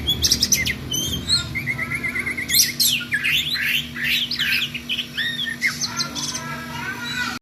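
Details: Oriental magpie-robin delivering nonstop 'ngerol' rolling song for tutoring other songbirds: rich mix of clear whistled slides, rising and falling phrases and sharp chips, steadily varied, with a low hum beneath.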